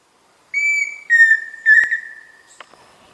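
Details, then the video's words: Pheasant cuckoo (peixe-frito) giving three clear whistled notes: a steady higher first note, then two slightly lower notes, the last wavering and fading, with a few faint clicks afterwards. "Som de Peixe-frito / Dromococcyx phasianellus"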